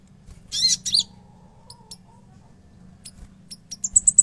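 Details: Konin in active song: two scratchy high bursts, a pause with a few faint ticks, then a fast row of piercing high chips at the end.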